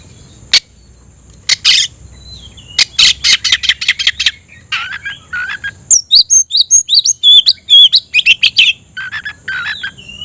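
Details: Oriental magpie-robin in a cage, tail opened, singing hard to stir emotion and challenge a rival to fight; scattered sharp clicks, then bursts of rapid chatter mixed with high whistled and slurred phrases, with a faint steady hum behind.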